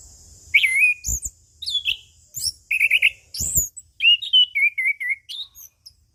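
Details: Orange-headed thrush, locally anis kembang or punglor, giving relaxed ngeplong song: rich varied whistles, sharp high upslurs and buzzy notes strung into a lively continuous phrase with a few clicks.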